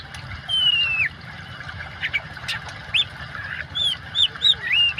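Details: Oriental magpie-robin singing over a background of flowing water, meant as therapy for birds that stop singing: a long descending whistle, then a string of short arched whistled notes and chirps.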